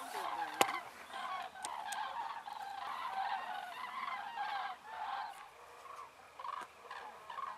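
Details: Common cranes over Ummanz island, western Rügen, Germany, flying to their roost after sunset at dusk among more than 20,000 birds: a dense, distant chorus of overlapping trumpeting calls with a steady wash of noise.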